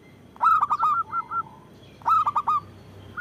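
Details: Strong-voiced local zebra dove, recorded as a lure to draw in and provoke other doves: two bursts of three or four rich, throaty coo notes, the first trailing into a softer drawn-out purr.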